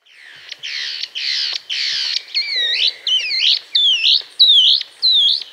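Long-winged Antwren giving a series of about nine high notes, first harsh and buzzy, then clearer whistled notes that dip and rise, a little under a second apart.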